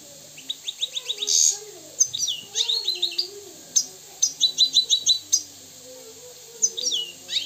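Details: Moroccan European goldfinch singing in bursts of quick high twittering and tinkling trills separated by short pauses, over soft low wavering tones.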